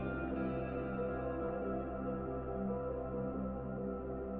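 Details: Soft, steady ambient drone music with humming tones like a singing bowl, and no animal voices present.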